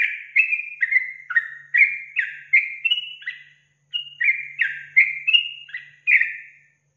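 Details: Sooty-headed bulbul song used as a lure to provoke other bulbuls: a run of clear, bubbly whistled notes, each slurring down or up, delivered in quick succession with a brief pause midway, on a clean silent background.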